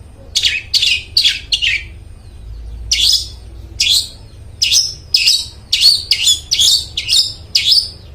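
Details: Long-tailed shrike in full, clear song, recorded as a lure to get mute shrikes singing: harsh, buzzy descending notes, first in a quick run of four, then after a pause a steady string of rasping bursts about every half second.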